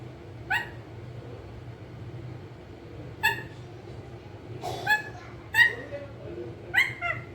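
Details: Pet ringneck parrot, known as a talking green parrot, giving a run of short tonal, somewhat voice-like calls, scattered at first, then clustered in quick succession near the end, over low household hum.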